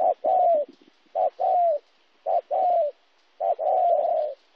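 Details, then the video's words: Spotted dove recorded in Kon Tum, Vietnam on 26 January 2016, a local wild-caught bird; three cooing phrases, each a short clipped note followed by a longer, gently falling coo, separated by about a second of quiet. "cu gay"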